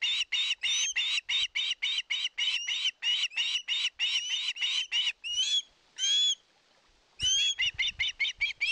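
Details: Begging for fish at its Finnish nest in Satakunta in 2022, an osprey gives a fast, steady train of short piercing whistled notes, several per second, ending in a few longer rising squeals after a brief silence.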